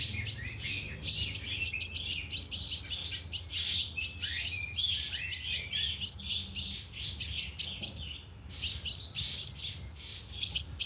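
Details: Sunbird lure call played through a loudspeaker trap to draw in birds: rapid bursts of sharp, very high chips and ticks, packed in quick clusters with brief pauses over nearly eleven seconds, faint low hum beneath.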